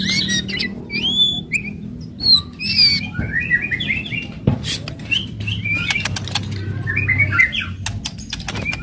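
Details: Aggressive White-rumped shama song with loud rattles and sharp notes meant to excite other shamas: a varied string of high whistled slurs, upswept notes and chattering bursts, with clicks and low background hum.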